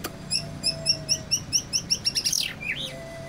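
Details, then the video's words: Easily agitated white-rumped shama repeating a short clear whistled note about four times a second, ending in a rising sweeping flourish, over low background hum. "Murai batu mudah emosi"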